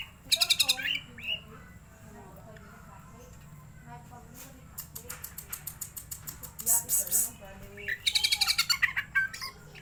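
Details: Greater green leafbird singing, played to excite and stir the bird: bursts of bright high chirps and twittering phrases, a rapid run of clicking notes near the middle, then another loud jumbled warble at the end.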